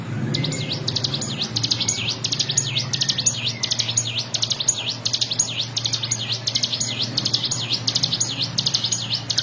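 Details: Ciblek gunung, a mountain prinia, in full fast song used to train other songbirds; rapid high chattering notes repeated steadily, each a quick buzzy downward-upward flick, over a low steady hum.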